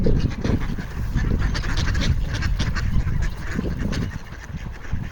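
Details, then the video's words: Ducks calling for food on a frozen pond in Toronto, Canada, in January 2025: short harsh quacking notes repeated irregularly over a strong low rumble of wind or background noise. "Ducks making noise for food on the frozen pond"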